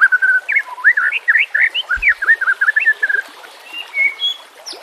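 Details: White-rumped shama song used as training master audio, with nature sounds and trickling water behind: a fast run of varied whistled and slurred notes, rising and falling, then a lower steady warble and a few sharp high whistles at the end.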